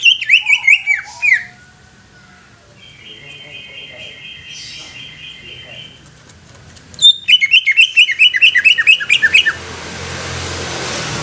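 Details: Greater green leafbird song in two bursts of quick, repeated chattering notes, each a rapid string of sharp falling whistles, separated by a long quiet stretch with a faint steady tone.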